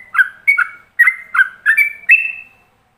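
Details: Ropelan master song of a yellow-vented bulbul, recorded so other bulbuls can copy it: loud, liquid whistled notes that step up and down, each ending in a drawn-out slur, six phrases in three seconds.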